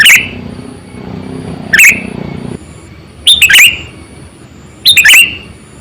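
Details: Lure recording of a lively Sooty-headed bulbul for attracting wild birds: four brisk, bubbly chirped phrases, some doubled, separated by gaps of one to two seconds, with low rumbling noise and a thin high whine behind.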